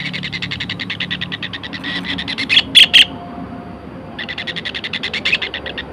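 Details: A long-tailed shrike on a training recording delivers runs of rapid, evenly pulsed scratchy notes. The runs are split by a brief pause holding three loud, sharp chips.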